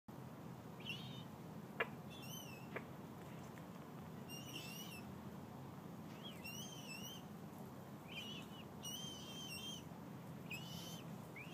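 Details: Common moorhen chicks, with their mother at Lake Carillon in Saint Petersburg, Florida, give thin, high, wavering peeps in short bursts every second or so, over a steady low rumble and a couple of sharp clicks.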